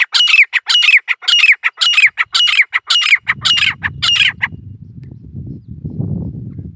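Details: Rapid, piercing repeated calls of a female grey francolin in an Indian jungle, dakhni type, each note rising then dropping; after four seconds the calling stops and low rumbling noise takes over.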